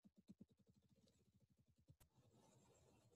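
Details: Ruffed grouse (Bonasa umbellus) drumming: deep, muffled thumps that speed up into a rapid flutter over two seconds, followed by faint room noise.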